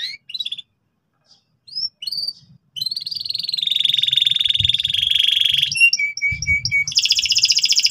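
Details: Canary in strong, persistent song used to teach young canaries the ngeriwik trill: scattered high chirps, then a long, loud, rapidly pulsed trill, shifting to a higher buzzy rattle near the end.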